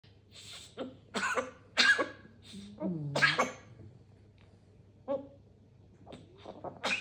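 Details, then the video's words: Grey parrot in Slovakia imitating a human cough with a series of harsh, breathy bursts, several in quick pairs, over a low steady hum and a few speech-like sounds. "Grey Parrot Encounter Imitates Cough Sound"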